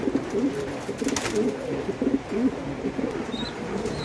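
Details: Low, pulsing coos from fancy pigeons on a farm in Bangladesh, short throaty phrases about once a second over a crowded background of more cooing birds.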